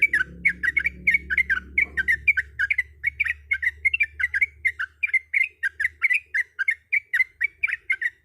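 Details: A breeding female sooty-headed bulbul calls for the male with a long, even stream of short bubbly chirps, roughly three to four per second, sharp and clear, over a low hum that fades after two seconds.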